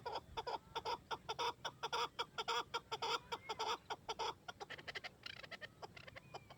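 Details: Chakor partridge in steady chak-chak-chak calling, loud clucking notes repeated in quick bursts that fade slightly toward the end, with faint high whistles behind.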